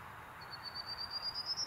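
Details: A prairie warbler singing while preening at Lindsay-Parsons Biodiversity Preserve in May 2021: thin, buzzy notes climb steadily in pitch, quick and evenly spaced, over a soft steady background hiss.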